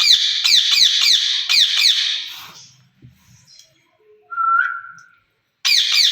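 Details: Caged ring-necked parakeets, a pair interacting: rapid harsh screeching notes in a fast series, a pause, one short whistle, then screeching resumes.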